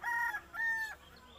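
A rooster gives two short, steady, nasal notes of even pitch about half a second apart, like a clipped fragment of a crow. No other sounds are heard.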